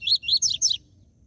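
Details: Rapid burst of four harsh, buzzy, descending notes from a captive double-collared seedeater in the TUI TUI ZEL ZEL song style, meant to stimulate other caged seedeaters. Silence follows.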